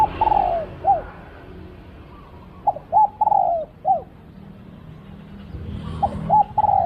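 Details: Spotted dove during decoy luring, cooing steadily: a long falling coo with a short tail note, then a full phrase of clipped notes, a long coo and a closing note, and the start of another.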